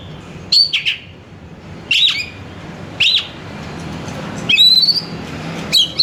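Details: Kacer (Oriental magpie-robin) lure song. Short loud bursts of clear whistles and chattering notes recur about every one to one and a half seconds, with a rising slurred phrase near the end. A soft constant hum runs throughout.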